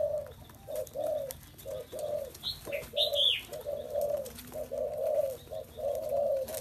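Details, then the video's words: Spotted dove giving a run of low, mellow coo notes, about one per second and somewhat uneven, while thin high chirps from another bird break in around the middle. "Chim cu gáy"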